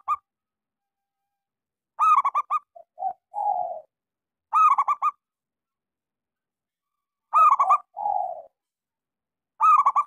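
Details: Local zebra dove, a keen singer with a small voice, played to coax silent doves into song. Crisp bursts of fast clipped coos alternate with lower hoarse coos, phrases roughly every two and a half seconds, quiet background.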